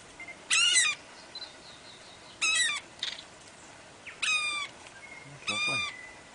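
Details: Four loud, harsh, rattling chatters about half a second long and roughly two seconds apart, with faint thin whistles between, on Ulva Island, Stewart Island, New Zealand; attributed to a South Island saddleback, though an oystercatcher nesting nearby may be calling.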